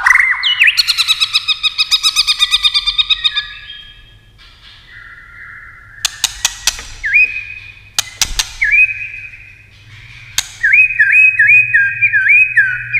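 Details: Competition singing by a white-rumped shama using many voices: a dense buzzy, chattering burst opens, then sharp clicks and rising whistled phrases, closing with a run of rapid upslurred whistles.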